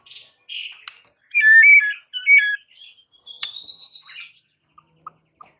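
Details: White-rumped shama lure song meant to provoke rival birds into sudden anger: clear whistled phrases, a buzzy warble, then a bright sustained whistle around four seconds, ending in soft ticks.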